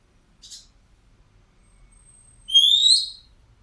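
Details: Black drongo, described as a unique and now rare bird: a faint short high note, then after a pause a loud upslurred whistled call with a clear ringing tone lasting about half a second, in quiet surroundings.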